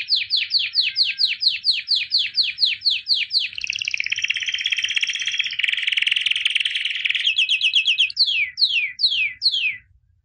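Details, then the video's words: Champion albino white canary from 2017 singing: about fifteen slow repeated downslurred whistles, a dense buzzy middle trill, a faster pulsed phrase, then a few widely spaced downslurred notes. "White Canary Singing (Albino)"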